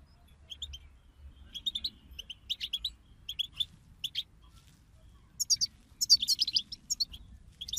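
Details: Goldfinch chorus to get a goldfinch singing: soft, scattered high chirps at first, building to a loud, dense run of tinkling, twittering notes over the last few seconds.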